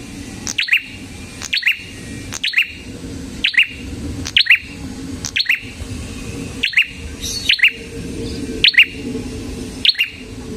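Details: Red-headed prinia in sustained lively song: a long string of clipped, high, down-slurred chirps, each preceded by a click, repeated steadily about every second.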